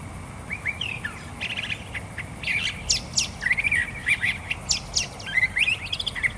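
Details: Curve-billed Thrasher singing a long, varied run of rich warbled and whistled phrases, quick trills and sharp upswept notes, delivered in rapid bursts with almost no pauses.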